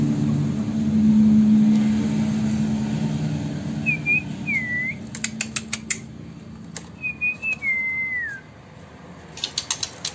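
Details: A Sumatran white-rumped shama in Bengkulu city whistles two short phrases of rising-then-falling notes over a low hum, with rapid clicking bursts between and after them.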